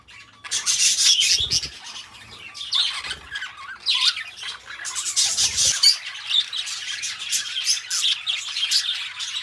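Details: Two pet budgerigars in chattering song, starting quiet then breaking into dense scratchy warbles, squeaks and buzzy rasps, with faint low thuds around the first few seconds.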